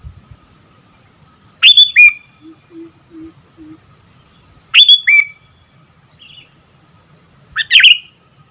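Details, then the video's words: Actively singing sooty-headed bulbul gives three loud phrases roughly three seconds apart, each a quick rising whistle with a dropping second note. Soft low hoots and a faint distant chirp fall between phrases. "Burung Kutilang Gacor"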